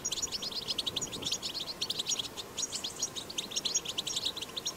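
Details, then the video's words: European goldfinch singing a powerful 'batbata' song in the wild, meant to encourage goldfinches to sing; dense, rapid tinkling twitter of high chirps, with brief pauses between bursts. "أقوى بتبتة حسون"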